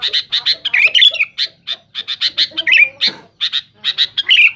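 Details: Harsh, noisy sooty-headed bulbul vocalising to press rivals: rapid chirps mixed with scratchy squawking notes and slurred twitters, delivered in uneven bursts.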